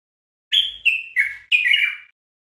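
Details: A common bulbul (Pycnonotus barbatus) sings on a tutoring recording for training bulbuls, a quick phrase of four rich, fluty, downward-slurring notes over about a second and a half, with no other sounds.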